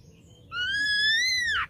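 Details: Ashy drongo lure song: a single long, loud whistled note, slowly rising with rich overtones, ending in an abrupt harsh downward flick.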